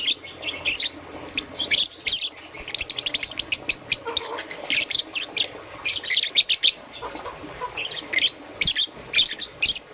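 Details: A green and yellow young peach-faced lovebird gives a dense stream of high, scratchy chirps in the morning, many quick notes in bursts with brief gaps, and a few softer lower sounds in the middle.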